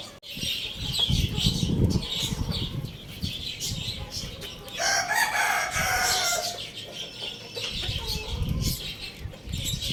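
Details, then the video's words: Lohmann Brown rooster crowing at Lalukhet bird market, one harmonic crow lasting over a second midway through, surrounded by constant high chirping of caged birds and low rumbling market noise. "cute rooster crowing loudly"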